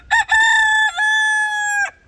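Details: A rooster crows once outdoors on a nice spring day at a homestead: a brief opening note, then a long, loud, harmonic-rich cry held for over a second before cutting off.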